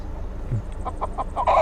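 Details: Chickens inside a carrying bag on a road in Colombia give a fast run of five or six short clucks, ending in a louder squawk, against a low rumbling background.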